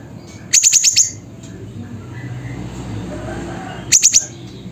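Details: Siri-siri recorded at Busu Reului, Mutiara, Pidie, Aceh, Indonesia: two bursts of five rapid, very high, sharp metallic chips, the second burst about three seconds after the first, over a low background hum.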